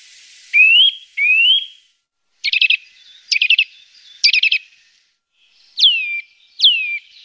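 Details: Lure recording of Eurasian nuthatch: two rising whistled notes, three quick stuttering trilled bursts, then two loud whistles that fall steeply in pitch.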